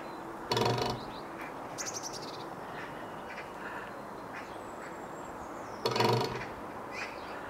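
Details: Woodpecker drumming on a TV antenna: two brief, rapid, ringing rattles about five seconds apart, metallic in tone, with faint soft bird calls between them.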